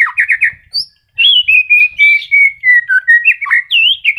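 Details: A captive White-rumped shama in moult, just regrowing its feathers, still sings. It gives a quick burst of three chirps, then a steady unbroken run of rich, varied whistles, slurred notes and trills at mid-high pitch.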